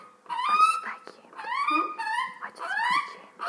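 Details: Pet magpie that squawks constantly, being fed by its owner, giving harsh, nasal, rising squawks in a repeated series about once a second, each sliding upward with a rough, wailing tone, indoors.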